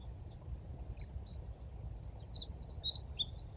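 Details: Eurasian wren giving its mating song, a fast, high, jumbled run of sharp trills and chips, louder in the second half, on a morning of 17 Feb 2023 in the Dnipro floodplain at Konche-Zaspa, Kyiv, over a low rumble of city noise.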